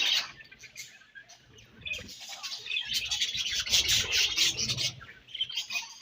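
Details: Pet budgies at their favourite food, a dense wall of shrill, scratchy chirping and warbling that swells through the middle, with low crunching and rubbing sounds.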